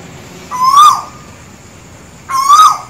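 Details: Sri Lankan Asian koel song, two rising whistled calls roughly 1.8 seconds apart, each a smooth upward slur that ends on a stronger, slightly higher note, with little other sound around.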